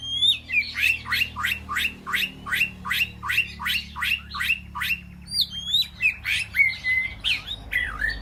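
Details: Captive White-rumped shama in an aviary calling to its flock, giving a loud series of sharp, downward-sweeping whistled notes repeated about three times per second, broken by a few looping, clearer whistles toward the end.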